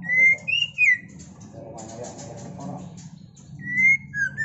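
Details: White-rumped shama song recorded around mating: clear whistled notes sliding between mid and high pitch, a short rising phrase at the start and another near the end, with a stretch of softer chattering and low background murmur between them.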